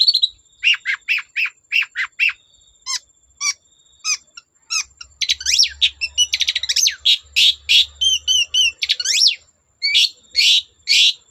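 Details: Long-tailed shrike song used to make other shrikes sing: a regular series of sharp downslurred notes, then an accelerating jumble of buzzy rasps, trills and whistled phrases.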